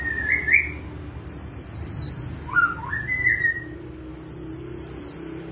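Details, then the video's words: White-rumped shama in lively song with cililin-style mimicry: short whistled phrases, some rising, alternating with higher thin drawn-out whistles, delivered in quick succession over low background rumble. "murai batu gacor isian cililin"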